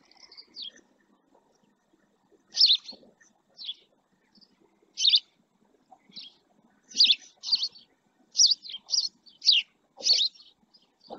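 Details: A male house sparrow rests beside a live camera at the El Rocío marsh in Doñana National Park, Spain. It gives bright, harsh chirps in irregular bursts, several close together, with faint low background murmur.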